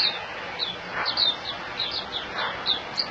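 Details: Singapore white-eye (puteh) sings spaced, high, thin falling chirps against a hissy background, with a few soft, broad noises in between.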